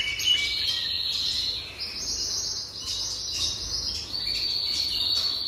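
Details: A jasper canary sings long, sustained rolling trills that hold steady and then step up in pitch, a smooth unbroken ribbon of sound running throughout, over a quiet low hum.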